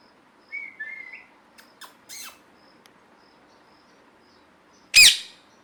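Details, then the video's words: Parrot calling: a short whistled note with a thin rising tail, a few faint clicks and a brief scratchy note, then a loud harsh squawk near the end. "Parrot Natural Sounds"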